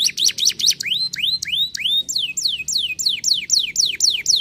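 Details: Canary song of quick repeated phrases: sharp chipping notes, then slower upward-curving whistles, then a run of falling whistled syllables about four per second.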